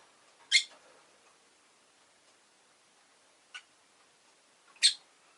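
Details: Two loud, rasping high chirps from a rosy-faced lovebird about four seconds apart, with a fainter short squeak between them.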